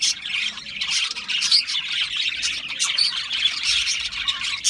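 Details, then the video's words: A group of budgies producing busy, overlapping chirps and scratchy squawks, with occasional thin whistled notes rising above the constant twitter. "Natural Parakeet Singing Birds | Parrots Chirping sounds"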